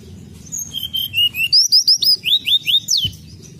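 Sunda robin giving a rapid run of high, clear whistled notes, some rising and some falling, about three or four a second, over a low background hum.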